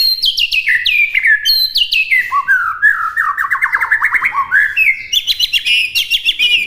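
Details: White-rumped shama singing a varied master song for imitation: high descending whistles, a run of rapid buzzy trilled notes in the middle, then high rising whistled phrases, loud and clear throughout.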